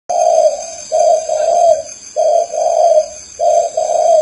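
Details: Spotted dove from Ba Vì, Hanoi, Vietnam, known locally as cu khách. It gives low, soft coos in paired phrases, a longer note closing each pair, repeated about three times. A steady thin high whine runs throughout.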